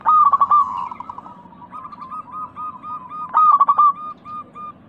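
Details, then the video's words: Lure song of a local zebra dove for prompting a pet dove: two loud rattling coo bursts separated by a run of softer, rapid hooting notes. "Pancingan burung perkutut lokal gacor suara kristal paling ampuh"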